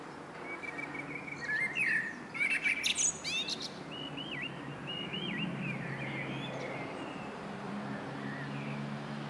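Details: A common starling singing from a roof gives a jumble of looping whistles, sharp clicks and scratchy rattles, with a burst of rapid phrases in the first few seconds over a steady background hum.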